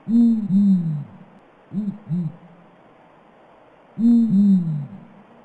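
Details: Blakiston's fish owl hooting low and booming in a repeating pattern: a long, double-humped hoot, two short, clipped hoots, then another long, double-humped hoot.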